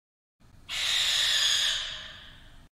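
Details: A barn owl gives one long, harsh, breathy hiss lasting about two seconds, starting abruptly and fading slowly; an eerie night sound on summer nights, often heard as owls fly through residential neighborhoods hissing and clicking their bills.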